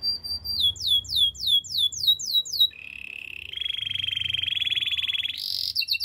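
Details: Canary song for training: repeated swooping whistled syllables, then a long low buzzy rolling trill for over two seconds, closing with a burst of bright high notes.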